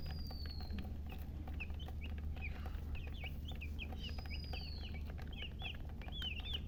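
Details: Chirping domestic chicks: a busy stream of high, downward-curving peeps that grows denser toward the end, with a few longer thin whistles and a steady low hum beneath.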